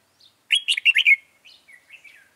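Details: Red-whiskered bulbul trapped with a decoy bird on 26 June 2018; the bird is described as white-cheeked and stubborn. A loud burst of bright, warbled, chattering notes is followed by softer trailing whistles.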